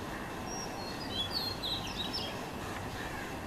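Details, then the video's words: Oriental magpie-robin, called the national bird, whistling its song: thin, high, slurred whistled notes, some rising and some falling, in a loose run over a steady broad background hiss. "Oriental Magpie Robin Singing"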